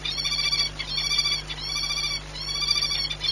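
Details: A peregrine falcon at the Orlen site in Płock, Poland, on 18 March 2021, during the egg-laying period and frightened by a noise, gives harsh, ringing wailed notes in bursts over a steady low electrical hum.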